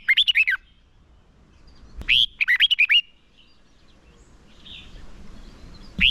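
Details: Fighting song from a red-whiskered bulbul used as a decoy for luring wild birds and training singers: quick clusters of loud warbled whistles, each phrase about a second long, two full phrases and a third beginning at the end.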